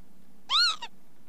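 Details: Single Northern lapwing call: a short, buzzy note that rises and falls, followed by a brief clipped second note, against a faint low hum.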